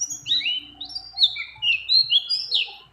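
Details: A breeding-condition female white-eye calls to a male amid many other birds, giving high squeaky whistles and slurred rising and falling notes in a quick, uneven chatter.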